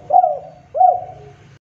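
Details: Spotted dove (tekukur) call used to provoke rival birds into answering: two short, hollow coos about three quarters of a second apart, each with a gently falling tail, over a faint low background hum.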